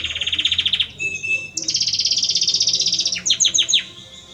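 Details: Male Belgian canary singing to a female: rapid trilled phrases, a sustained buzzy roll, then a run of sharp descending chirps, all high-pitched.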